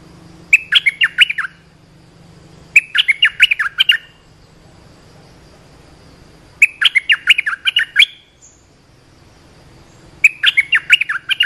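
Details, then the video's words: Olive-winged bulbul call for teaching young birds and drawing in wild birds: four chattering bursts of rapid, gurgling notes, each about a second long, separated by pauses of two to three seconds. "เสียงนกดอกแตงEp.248 เปิดหัดลูกเสอ ลูกใบ้ เสียงเรียกนกป่า Suara pikat merbah lekir gacor"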